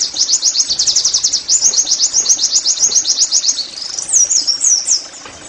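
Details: Fast 'nembak' song of an Oriental white-eye, intended to make caged birds sing: about three and a half seconds of shrill, rapidly repeated chirps in a steady torrent, ending in a couple of slurred, rising-falling whistles.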